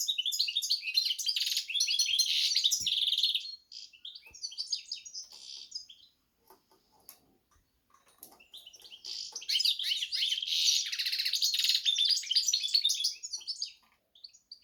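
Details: Hybrid of goldfinch and canary in two bursts of dense, high twittering song with trills and buzzy notes, separated by a quieter stretch of scattered soft chirps.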